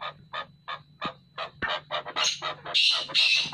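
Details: Chukar partridge pair calling, with evenly spaced clucking notes that quicken and grow louder and harsher, ending in rapid, rasping, overlapping chuk-chukar phrases.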